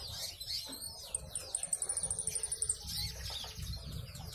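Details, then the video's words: Brown-breasted ninja sunbird, a thumb-sized song tutor, singing actively: a very high, fast run of evenly repeated notes lasting about two seconds, among thin twittering and low background rumble. "KICAU GACOR COLIBRI NINJA DADA COKLAT NGOBRA fULL ISIAN"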